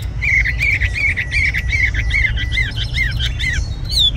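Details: Tame caged red-whiskered bulbul singing a run of short bright whistled notes, about two per second, steady in pitch and then turning into quicker slurred down-up phrases, with a higher squeaky note at the end.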